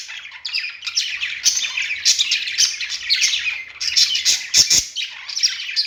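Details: Several pet budgerigars singing on their perch, a busy mix of bright chirps, whistled notes and buzzy chatter running almost without a break, with a few sharp clicks near the end.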